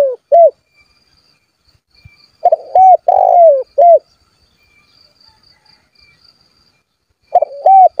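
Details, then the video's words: Calling spotted dove used to provoke rivals and bring wild birds into breeding condition: short paired coos, then a four-note phrase with a long descending rolled coo, a long quiet gap, and the phrase starting again. "SUARA BURUNG TEKUKUR GACOR MEMANGGIL LAWAN AGAR BUNYI"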